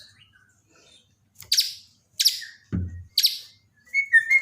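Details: White-rumped shama from Borneo during daily training, uttering harsh, loud scratchy bursts at irregular intervals, one dull low thud, and short whistled notes at the end.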